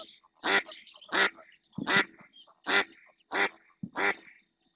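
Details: Insistent calling from a female mallard on the Doñana marshes in Spain, drawing another female and a pair of drakes closer; loud, rasping quacks repeat at uneven intervals with softer notes between them.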